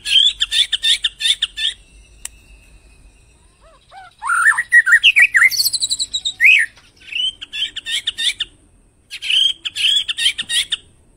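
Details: White-rumped shama master song, meant to trigger other birds' singing: bursts of rapid buzzy chattering notes alternating with a fluid phrase of slurred whistles, then more chattering bursts.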